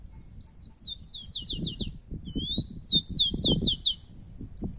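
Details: Rufous-collared sparrow duel between two birds: repeated high whistled openings followed by rapid downward-slurred trill notes, two phrases close together, with steady low rustling and thumping underneath.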